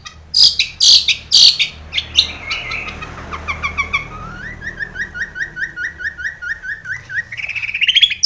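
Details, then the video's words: Long-tailed shrike lure recording for caged birds: three harsh high bursts, then a long run of quick, evenly repeated rising whistled notes, ending in a shrill rapid trill. "SUARA cendet gacor ISIAN SARKASAR pancingan cendet agar bunyi"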